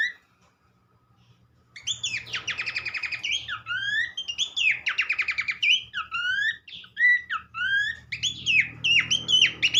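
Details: After near silence, Horsfield's Babbler (pelanduk semak) bursts into rapid rattling trills alternating with whistled downslurs, over a steady low hum and some background noise near the end.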